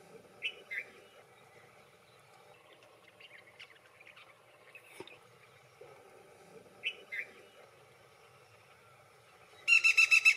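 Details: A Black-rumped flameback gives a pair of short, sharp notes, then bursts into a loud, fast, shrill rattling laugh at the end; faint chirps from other birds behind.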